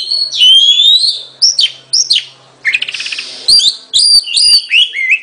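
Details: Oriental magpie-robin singing loud, clear whistled phrases: a long rising slurred whistle, then short sharp downslurred notes, a brief rapid buzzy rattle midway, and more bright, varied whistles repeated in quick succession.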